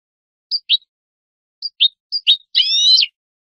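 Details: European goldfinch song from a tutor recording for training young birds: spaced pairs of sharp high chirps, each a higher note then a lower one, ending in a short buzzy, rolling twitter, with no background noise.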